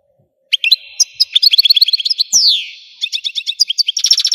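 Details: Continuous song of an Algerian European goldfinch: sharp opening chirps lead into rapid twittering, a sliding downward note, then a new series of fast, high repeated notes.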